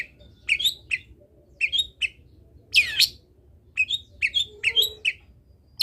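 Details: Varied long-tailed shrike song mixing short sweet whistled notes with quick chattering figures and one loud harsh screech in the middle.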